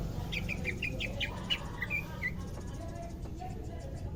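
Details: Pet greater green leafbird, second day in care and becoming vocal, gives about ten short chirped notes in quick succession, ending with a few slurred whistles before quieter ticking over constant low hum.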